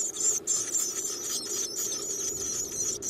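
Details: Nestling Black-capped chickadees in a garden nest box begging as they are fed: an unbroken, very high, shrill squealing chorus with slight fluttering pulses, a few short dips in loudness.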